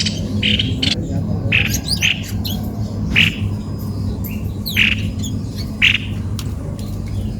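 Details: Cucak kopi-kopi calling with short, scratchy squawks and occasional quick chirps, irregularly spaced, over a steady low drone.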